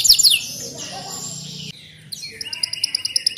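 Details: Canary tutored on mountain ciblek song, a style called 'isian ciblek gunung'. A short burst of shrill, squeaky notes is followed by a brief pause, then a quick series of high, tinny rhythmic pips.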